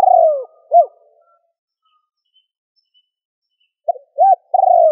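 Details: Spotted dove calling to prompt a decoy bird to sing. The clip opens mid-phrase on a burry falling coo and a short arched note, pauses about three seconds, then starts another phrase of a pickup note, an arched coo and a long buzzy note.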